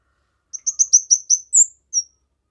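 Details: A kemade sings a short phrase intended for tutoring, luring and prompting other birds: six quick, high chirping notes in a descending run, followed by two sharper, clear whistled notes.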